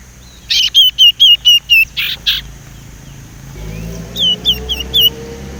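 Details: A young, still untrained Sumatran leafbird learns to whistle, a sound used to lure other leafbirds. Six quick looping whistled notes are followed by two harsh bursts. After a pause a softer run of similar looped whistles follows.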